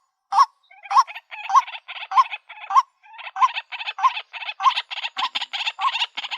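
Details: Calls of a female white-breasted waterhen seeking a mate: a quiet start, then repeated croaks with rising tonal ends, joined by fast, grating chatter that thickens into a continuous rhythmic series.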